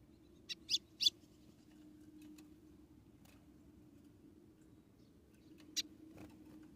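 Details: Female white-throated seedeater from Rio Grande do Norte, calling to stimulate the male: a few short, sharp high chips, three close together early, then one more after a pause, over a steady low hum.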